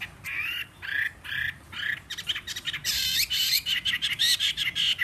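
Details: Wild-caught fighting Chinese hwamei, three seasons in a cage, singing on a table with spread tail and a slightly hoarse voice: looping whistled notes first, then dense, bright rapid trills and chattering phrases.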